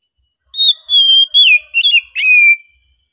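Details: Oriental magpie-robin in a relaxed song: a sequence of sustained, clear whistles, each sliding down in pitch, with a brief rattling flourish before a long falling final note.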